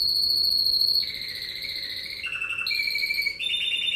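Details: Champion Spanish Timbrado canary singing intermediate song: sustained metallic trills and rolling notes, shifting pitch every half second or so, high and ringing throughout.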